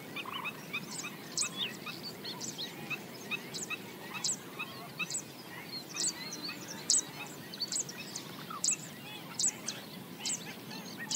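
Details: Several black-winged stilts yapping while they forage along a swamp bank: a continuous overlapping stream of short nasal barking notes, punctuated by crisp high clicks and set over a constant low hiss.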